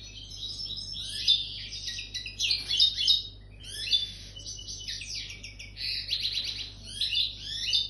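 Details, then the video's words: Continuous high twittering song from a European goldfinch coming into breeding condition, with tinkling, buzzy trills and chirps run together over eight seconds, swelling and fading in short bursts. "Jilguero cantando cogiendo celo"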